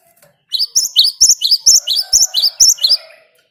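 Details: Lure recording of a Great tit singing in the wild-style ngerol manner: around eleven shrill, doubled chirps in a fast regular series, with a faint low hum underneath.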